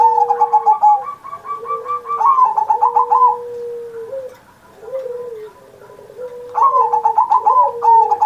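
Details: Zebra dove singing hard on Indonesian Independence Day, a master recording for training pet doves still learning; three runs of fast stuttering coos, with lower sliding tones between them.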